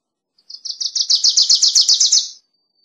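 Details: Wilson's warbler song: a rapid, dry chattering series of about fifteen high notes, roughly two seconds long, growing slightly louder and dropping a little in pitch toward the end; no other sounds.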